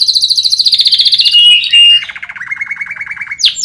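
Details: Canary song for tutoring other songbirds: a fast high trill sliding gradually lower, a brief pure whistle, then a lower rolling rattle of repeated notes and two sharp high sweeps at the end.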